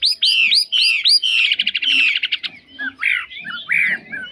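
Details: Caged Chinese hwamei in full song, said to be free of faults: repeated loud swooping notes, then a fast rattling trill, followed by looping whistled phrases.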